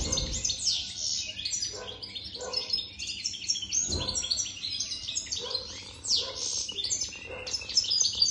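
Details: Continuous jingling song from a European goldfinch over three years old (jadr): rapid bright twitters and short buzzy notes, with faint lower clicks and thumps underneath.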